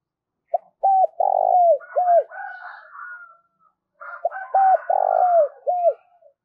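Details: Decoy spotted dove cooing to draw in wild doves, giving two phrases of clipped arched coos wrapped around a drawn-out buzzy note, while higher chirps and chatter from other birds fill the gap.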